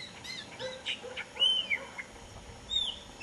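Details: Blackbird singing: a loose run of clear whistled notes, some slurred up and down, with short chirps between phrases over a faint, steady background hiss.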